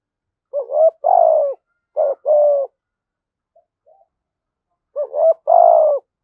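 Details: Spotted dove in 'thổ sấm' voice style repeating its coo three times. Each phrase is a short wobbly note followed by a longer, level, resonant hoot. Faint soft ticks fill the quiet gap between the second and third phrases.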